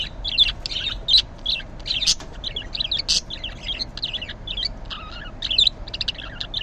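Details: Morning chatter from a green budgie: rapid, continuous warbling chirps and buzzy squeaks, repeated several times a second, with occasional louder sharp clicks and a short lower whistle near the end.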